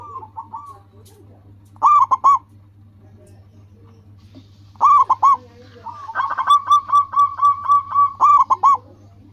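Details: Singing local zebra dove, a lure bird for calling other doves, giving short trilled coo phrases, then a long even run of about ten rapid notes, over a constant low electrical hum.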